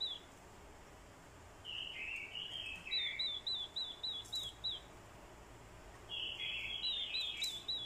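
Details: Fighting song of a decoy orange-headed thrush, prompted by a female's call: tumbling warbled phrases give way to a steady row of about eight clipped high notes, then another warbled burst, with faint background hum.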